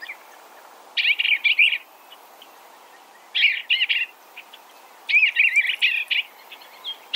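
Eastern Bluebird singing soft, warbled phrases of a few quick, gurgling notes, repeated every two seconds or so, over a quiet background hiss.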